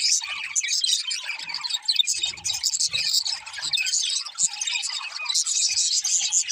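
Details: Budgies singing and playing, heard as a continuous, slightly softer twitter of high chirps and scratchy warbling, with occasional faint low rustling sounds.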